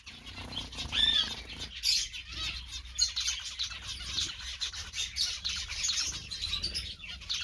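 A zebra finch sings a quick run of buzzy, nasal notes and high chirps, with wings fluttering.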